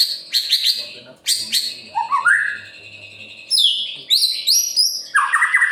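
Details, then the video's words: White-rumped shama (murai batu) in energetic gacor song, used to stir other birds into singing; bursts of high chirps give way to rising whistles and ringing descending phrases, with faint low murmuring underneath. "Murai Pastol Gacor Cocok untuk Memancing Burung Yang Kurang Emosi"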